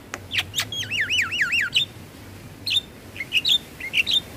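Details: Black-winged starling song played mornings and evenings to stressed caged birds: a rolling, wavering whistled trill, then spaced short bright whistled notes over a faint low hum.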